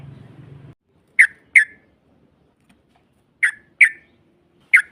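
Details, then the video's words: Yellow-vented bulbul lure aimed at provoking a rival: low rumbling noise at first, then five sharp, clipped chirps spaced irregularly, some in pairs. "Pancingan trucuk NARUNG NEMBAK Ropel panjang BUAT Mancing EMOSI LAWAN PASTI nyaut Ngropel Seketika"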